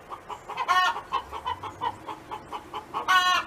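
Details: A hen belonging to a neighbor sings in a farm setting: one loud, rasping squawk early, a string of soft rhythmic clucks, then a second drawn-out squawk at the end.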